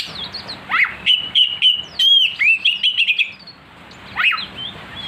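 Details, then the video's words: Oriental magpie-robin song meant to provoke a kacer: a steep sweeping note, then a sustained run of rapid whistled and trilled notes, a pause, and one final falling slur. "pancingan Kacer agar emosi"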